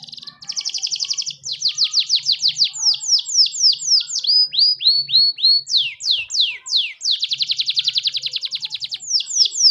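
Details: Grey mule canary singing: a loud, continuous run of fast trills and rapid down-slurred whistled notes, with rolling phrases changing every second or two and a long buzzy trill near the end.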